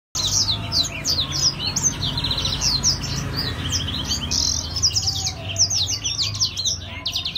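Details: Grey singing finch (blackthroat) singing vigorously: a continuous run of rapid, high, sweeping chirps and short trills, densely packed throughout, over a steady low hum.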